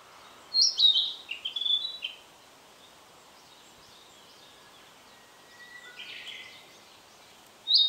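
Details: Narcissus flycatcher, recorded with an Olympus PEN mini E-PM2 camera: a quick high warbled phrase of falling and rising notes, a long pause, then a faint thin whistle, a short slurred note, and a new phrase beginning.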